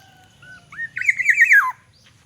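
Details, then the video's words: Morning song of a kept Black-naped oriole from Aceh: a short whistle, then a sweeping fluty phrase of rapid wavering whistles that drops at the end, with a faint high chirp after it. "Kepodang emas Aceh, perawatan harian dan variasi kicauan di pagi hari"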